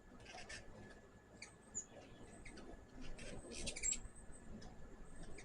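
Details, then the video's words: A hummingbird at a backyard feeder gives rapid, very high, dry chips and ticks in short clustered bursts, with a faint thin whistle, over a low background rumble. "My first hummingbird video with natural sound."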